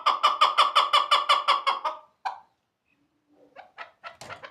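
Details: Chukar partridge from Shahrituz giving a loud, rapid string of harsh, clucking chuk notes, about five per second, then a pause and a few rougher scattered notes.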